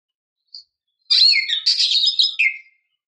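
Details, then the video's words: Female oriental magpie-robin calling for a male: a faint opening chip, then one scratchy, buzzy phrase that ends in a descending whistle. "PANCINGAN KACER BETINA MEMANGGIL JANTAN"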